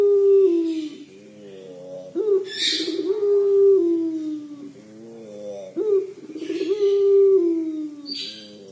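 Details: 'Crying' call of a puter pelung collared dove: a short upswept note, then a drawn-out, mellow, gently falling coo, repeating roughly every three and a half seconds, with faint hissy noises between phrases.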